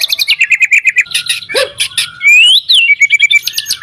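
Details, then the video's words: White-rumped shama singing energetically, used as a lure to provoke other shamas into song: fast series of clipped high chirps, then a smooth rising-and-falling whistle and a rapid run of repeated notes. "MURAI BATU GACOR AMPUH BUAT PANCINGAN MURAI BATU AGAR BUNYI CEPAT BIKIN MURAI BONGKAR MATERI"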